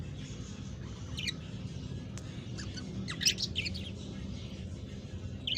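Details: Budgerigar; begging call; chicks begging to be fed by parents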